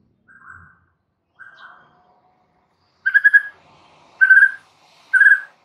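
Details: Oriental magpie-robin training recording for caged birds: two soft short notes, then three loud buzzy stuttered bursts spaced about a second apart.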